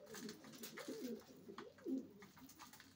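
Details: Racing pigeons giving soft, throaty coos, each a low rolling swell that rises and dips, two or three arcs in quick succession over light background rustle.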